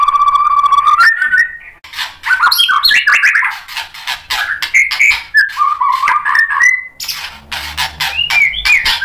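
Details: White-rumped shama singing to provoke a rival's reply: a held whistle breaks into a rich, rapid medley of slurred whistles, chattering notes and sharp clicks, fairly loud throughout.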